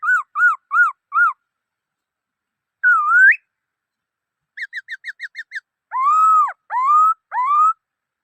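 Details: Black-throated laughingthrush song: four arched whistled notes, a dipping rising whistle, a burst of quick short notes, then three long arched whistles.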